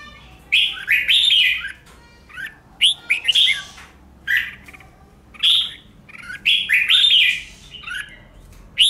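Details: Red-whiskered bulbul pushed into competitive singing: loud, rich warbled phrases come roughly every one to two seconds, separated by short silences in a quiet setting.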